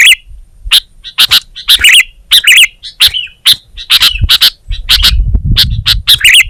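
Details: Sooty-headed bulbul (kutilang) in energetic 'gacor' song: sharp, high chips alternate with short warbled, bubbling phrases in quick succession, with a faint low rumble underneath toward the end.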